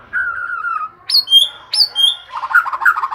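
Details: White-rumped shama singing day and night: a wavering low whistle, two high sweeping whistles with long sustained tails, then a soft jumble of chattering notes.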